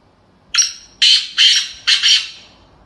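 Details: Female black francolin call: a thin opening note, then a series of rough, buzzy bursts, the final one split in two, close and clean with no other sounds.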